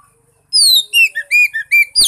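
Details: Oriental magpie-robin song meant to encourage a mute bird to start singing: opens with a loud downslurred whistle, followed by a string of clear, evenly spaced whistled notes and a final sharp slurred note.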